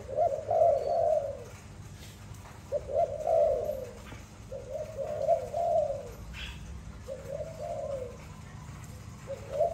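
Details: A pet Malay dove gives soft, low, rolling coos, each phrase about a second long and repeated every two seconds or so, over a faint background hum.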